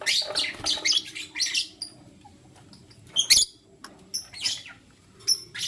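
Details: Lutino lovebirds, one male with two females, chirp in rapid high, sharp bursts, several quick clusters in the first second, then scattered thin chirps and short squeaks at intervals, over a quiet low hum.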